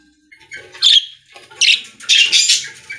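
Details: Budgies in a pet store: a few short, harsh squawks and scratchy chirps in separate bursts.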